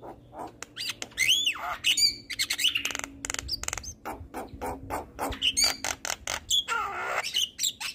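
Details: Javan myna singing, recorded to prompt lazy birds to sing: swooping whistles, rising and falling slurred notes mixed with rapid chirps and a rough, wavering phrase near the end.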